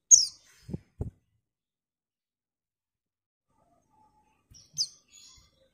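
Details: Female white-eye calling a male: one sharp high chip at the start and a thinner, fainter high call near the end, with two low dull knocks just after the first note and a long silence between.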